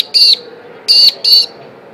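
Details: Magpie-lark that returned to the area where its mother nested gives three loud, piercing, high piping notes, each about a fifth of a second, at an uneven pace, with distant V8 race-car noise and a man talking.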